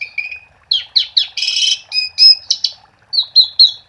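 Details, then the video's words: Asian pied starling in lively full song, used as a lure to set silent starlings singing: a rapid run of varied chattering, whistled and harsh buzzy notes in quick bursts, with short pauses between phrases and no other sounds. "Suara Jalak Suren Gacor untuk Pancingan"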